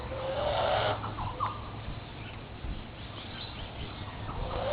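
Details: A bush stone-curlew at Mountain View Lodge, Oak Beach, near Port Douglas, Far North Queensland, gives a harsh, breathy, rasping hiss lasting several seconds, with a low hum and brief higher tones underneath; the bird sounds unhappy.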